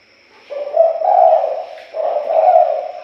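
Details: Spotted dove cooing used as a lure to attract birds: two drawn-out, mellow hooting phrases, each a short note followed by a longer coo, with a faint steady high hum behind.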